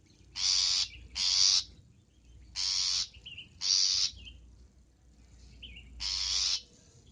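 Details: Long-tailed shrike on a training recording for cage birds, full fill-in song; loud broadband rasping notes in uneven pairs and singles, with small high twitters filling the pauses.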